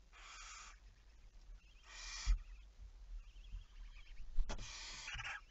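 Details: Barn owl, 11 May 2019 at 23:34: three drawn-out hissing screeches about two seconds apart, over noisy low rumble with a couple of sharp knocks and faint thin background notes.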